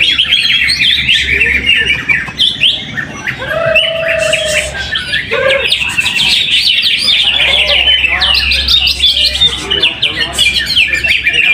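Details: A greater green leafbird sings at a weekly contest training session in Trowulan, Mojokerto, Indonesia, delivering an unbroken run of bright, rapid chirps and twittering phrases with a few short low whistles mixed in.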